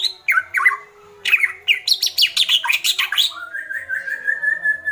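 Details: White-rumped shama, agitated, delivering kretekan: descending whistled slurs, then a dense, fast series of harsh rattling notes, closing with a long, steady, wavering whistle.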